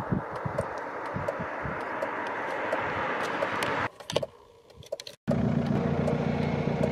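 [1, 'yes', 'vehicle noise', 'Steady engine rumble and broadband traffic noise with scattered clicks, briefly dropping away near the middle before returning loudly.']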